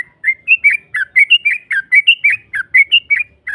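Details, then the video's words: Yellow-vented bulbul song played as a lure to stir a rival into replying; a steady run of liquid, bubbling whistled notes, about four per second, each note rising or falling and repeated without a break. "Pancingan trucuk NARUNG NEMBAK Ropel panjang BUAT Mancing EMOSI LAWAN PASTI nyaut Ngropel Seketika"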